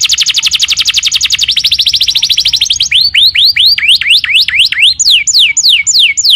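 A canary sings high, rapid rolling trills in two runs, then a series of quick swooping whistles that rise and fall about three times a second.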